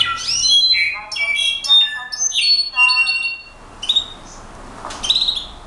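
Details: Brown-backed solitaire singing a varied, rapid run of metallic whistles and slurred notes, jumping between high and middle pitches, then a pause and a few scattered high notes at the end.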